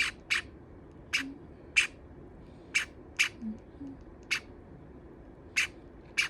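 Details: A pet Java sparrow calls loudly, and the owner suspects she is complaining that her companion nibbles her feathers: sharp, bright chip notes, about ten in six seconds at an uneven pace, over a faint low murmur.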